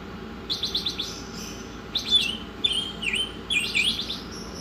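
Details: Oriental magpie-robin song: a series of quick rattling buzzy trills followed by loud clear whistles that dip and rise, with thin high squeaks between phrases and a constant low background hum.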